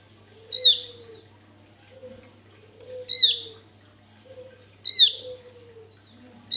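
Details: Vigorous song of a male Javan grey-throated white-eye, used to lure birds: three bright descending notes spaced about two seconds apart, with gentle low slurred whistles filling the gaps and a faint background hum.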